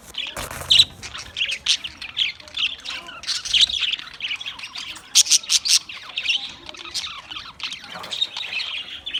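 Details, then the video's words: Australian parrot chirping sounds, with bursts of high, buzzy squawks and clipped chirps in uneven clusters, separated by brief quieter gaps, and a sharp loud note near the start. "Beautiful Australian parrot video Bird Chirping sounds"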